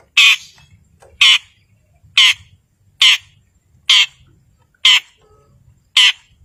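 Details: Long-tailed shrike vocalising to make silent birds sing: harsh, grating single notes repeated about once a second, seven in all, with a faint low hum.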